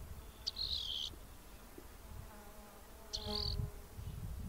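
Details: Rock wren (Salpinctes obsoletus) of western North America singing two short, buzzy, high trilled phrases about two and a half seconds apart, over a low rumble and a faint droning hum.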